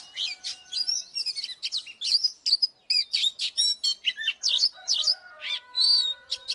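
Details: Oriental magpie-robin lure bird singing to provoke fighting: a fast, unbroken run of varied whistled and buzzy notes, with sharp slurs and trills that rise and fall, packed densely for the whole stretch.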